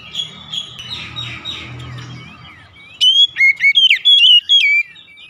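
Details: Oriental magpie-robin in the morning: muffled, blurred notes at first, then a clear burst of sharp whistled and chattering phrases with rapid pitch leaps.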